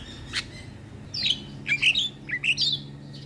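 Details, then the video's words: Javan myna singing as a lure for all kinds of mynas and starlings, giving a few harsh squawking notes and squeaky whistled slurs in short separate bursts, against a faint steady low hum. "PAncingan Semua Jenis Burung Jalak dengan Ocehan Jalak Kebo"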